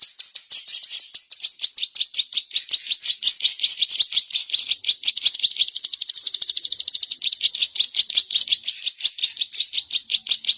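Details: Zitting cisticola song played as a lure for catching birds: more than ten seconds of unbroken, high-pitched ticking chatter that speeds up into a rattling trill midway, then slows again into spaced sharp chips.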